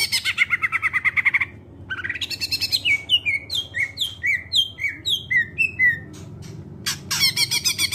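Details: Greater green leafbird song used to lure other birds into song: opens with a harsh rapid chatter, then a long series of clear whistled notes falling in pitch, about three per second, ending in another harsh burst.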